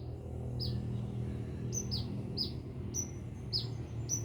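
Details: Sunbird in lively song from Binjai, uttering sharp high descending chirps at irregular short intervals above a loud low-pitched background rumble.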